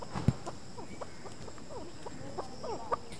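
A chukar gives a run of short, throaty clucking chuk notes, several each second, with a few low knocks and thumps in the background.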